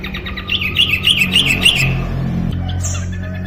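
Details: Yellow-vented bulbul in lively song: a fast run of bright, bubbly chirping notes repeated several times a second, fading after two seconds, over a steady low hum and murmuring background noise.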